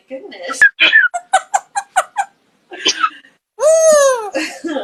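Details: Female pet African grey parrot indoors, laughing and wheezing to set its owner off laughing: a quick run of about ten short, evenly spaced laugh bursts, a pause, then a long arched harmonic squawk, with a person's voice nearby.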